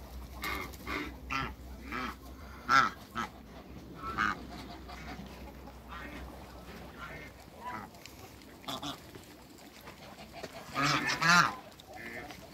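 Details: African geese in a backyard flock of two males and one female alongside other waterbirds; scattered harsh honks and shorter nasal notes come irregularly across twelve seconds, the loudest burst near the end, with quieter calling between.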